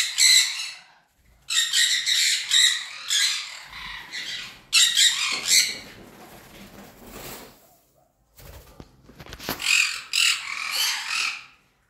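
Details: Sun conure pairs with DNA sexing, caged, giving loud harsh screeching squawks in repeated bursts of about a second, separated by short pauses, with quieter rustling and handling noises between.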